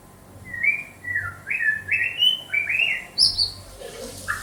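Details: White-rumped shama from Banda Aceh singing a run of varied whistled phrases, short sliding notes stepping upward in pitch, then a few very high thin notes and a lower closing whistle, with a faint low hum beneath.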